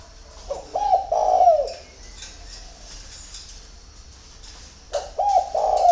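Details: Dawn cooing of a spotted dove at Ba Vì, Hanoi, Vietnam: one phrase of quick hooked coos ending in a long falling slur, about three seconds of quiet with faint high chirps, then the next phrase begins.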